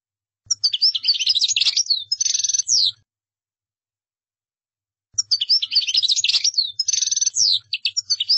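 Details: European goldfinch, its song played for other birds to copy. Two long phrases of fast twittering mixed with buzzy rattles are separated by a two-second pause.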